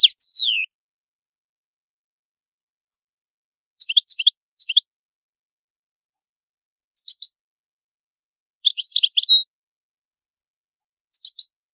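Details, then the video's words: European goldfinch of the old Palermo, Sicily song type, used as a tutor song for young goldfinches, giving short bursts of high, tinkling twitters and liquid notes separated by pauses of a few seconds; nothing else is heard. "CANTO DEL CARDELLINO"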